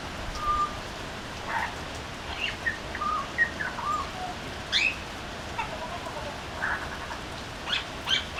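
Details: A butcherbird sings from a veranda, giving a long level whistle, then a run of shorter fluty notes that rise and fall, mixed with quick chirps, all against constant soft hiss.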